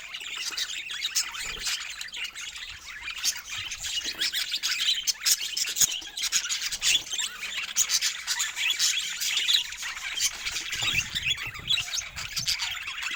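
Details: A group of pet budgerigars playing together keeps up a soft, rasping wall of chatter, fine scratchy warbles and tiny chirps blended into an even hiss-like murmur.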